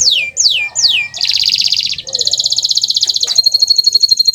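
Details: Canary song used as a master recording to prompt silent canaries to sing: three fast descending whistled sweeps, then a long buzzy rapid trill and a high, even, rattling roll.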